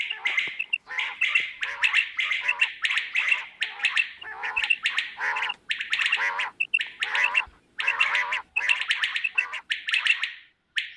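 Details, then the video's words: Quail, possibly female, give harsh, raspy, overlapping squawks in a dense, almost nonstop chorus, with short bursts every half second or so and only brief pauses; a morning quail call recording from Pakistan. "QUAIL SOUND FOR MORNING"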